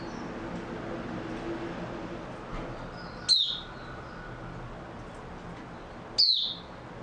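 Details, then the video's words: Oriental white-eye recorded 3 March 2022, giving two isolated thin, high chirps that slide downward, about three seconds apart, against a noisier hissing background. "Mata Puteh Raja Video 2 buka sing tiong aw"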